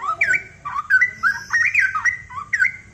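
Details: Straw-headed bulbul in full, vigorous song, used as a tutor recording for other birds: loud, rich, liquid phrases of bubbling, rising and falling whistles, with short pauses between bursts and a faint low hum beneath.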